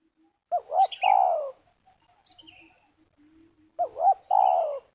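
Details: Spotted dove luring at a ground snare site in Liwa, West Lampung, Indonesia. Two phrases of paired looping notes, each ending in a long falling coo, about three seconds apart, with high thin chirps from another bird overlapping.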